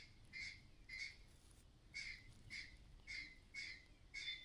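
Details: Mother myna giving a clattering alarm about nearby danger: seven separate harsh squawking rasps spaced roughly half to one second apart, fairly quiet background.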